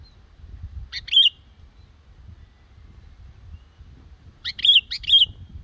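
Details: Practice song of a young yellow-vented bulbul with a black head, used to lure birds for trapping: two brief clusters of quick warbled notes several seconds apart, with low rumbling behind.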